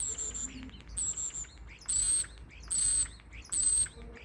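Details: Common starling giving thin, very high, steady whistles, each under half a second, repeated roughly once a second with short soft clicks between, over a faint low background hum.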